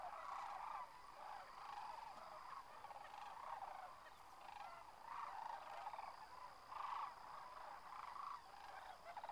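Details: A large flock of sandhill cranes at Whitewater Draw, McNeal, Arizona, their winter home, lifting off; softer, more distant rolling calls rise and fall in waves, with a faint steady high hum behind.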